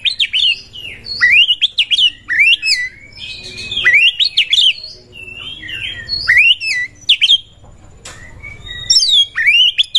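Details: Oriental magpie-robin in breeding condition, song to provoke other birds: repeated bursts of harsh upswept notes and whistled slurs, separated by brief quieter gaps, low hum in background.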